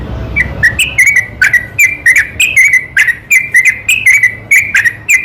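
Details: Night lure song of a yellow-vented bulbul meant to provoke other bulbuls to answer, with short bright whistled notes repeated roughly twice a second, some rising or falling slightly, each paired with a sharp click.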